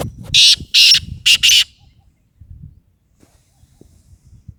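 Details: Black francolin (kala tetar), a pet bird being trained, gives four loud, harsh rasping notes in a quick burst lasting under two seconds, then falls quiet, leaving only faint low rumbles and handling noise.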